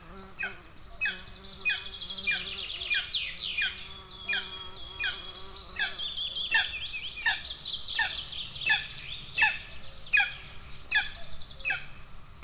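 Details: Starving golden eagle chicks in Estonia, June 2024, the first chick attacking the second: a long run of about fifteen steeply falling, high-pitched squeaks, roughly one per second, layered over steady shrill twittering and a soft background hum.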